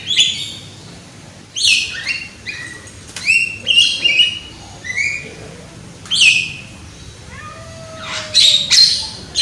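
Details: Loud young Javan myna singing as a lure to get other mynas going: a loose sequence of rasping squawks, downslurred whistles and clicks, about every one to two seconds, with a lower drawn-out whistle near the end.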